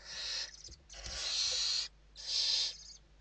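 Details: Evening feeding at a Western barn owl nest in Spain, 29 November 2023; three loud breathy hissing screeches, the middle one longest, separated by brief silences.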